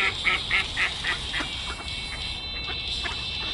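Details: Ducks on Komsomolskoye Lake in autumn, 16 October 2012: a quick run of about five short nasal calls, evenly spaced in the first second and a half, then fading into a steady background hiss.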